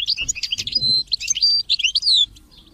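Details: European goldfinch singing among chirping chicks, kept birds encouraged to sing: a dense, fast tinkling phrase of high liquid twitters and whistled slurs lasting about two seconds, then quiet.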